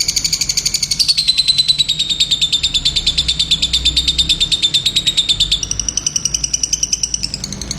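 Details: Lovebird singing a sustained rapid trill of high, evenly pulsed notes that slide downward then hold level, jumping to a higher pitch near the close.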